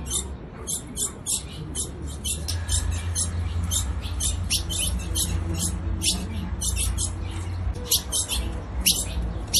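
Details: A female ultramarine grosbeak calls to excite the male with short, bright chips repeated roughly one to two per second in uneven bursts, while a low steady hum runs underneath.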